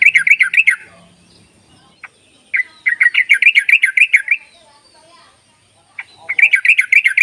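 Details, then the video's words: Lure recording of yellow-vented bulbul ropelan calls for prompting quiet bulbuls: three separate bouts of quick, bubbling chattering notes, divided by pauses with faint soft sounds. "ropelan dan panggilan burung trucuk ini sangat memikat bagus buat pancingan trucuk malas bunyi"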